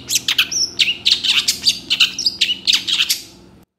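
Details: Energetic gacor song of a long-tailed shrike, a master recording for teaching other birds: a fast, continuous string of high, varied chirps and squeaky whistled notes, about four per second, ending abruptly.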